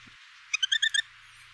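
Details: Male Red-breasted Nuthatch in breeding season giving a quick burst of five nasal, tinny notes in half a second, an excited trill apparently greeting his female as she comes into his space.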